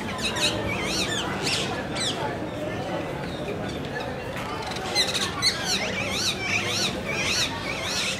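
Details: Rose-ringed parakeets (Psittacula krameri) in pairs at Qutb Minar, Delhi, India, give harsh, shrill screeches in quick overlapping bursts, over a steady background rumble and faint voices.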